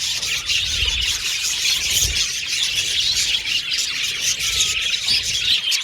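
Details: Colony of budgerigars kept in an aviary, chattering all at once: high squeaky twitters and chirps layered into a constant bright hubbub, with a few soft low bumps.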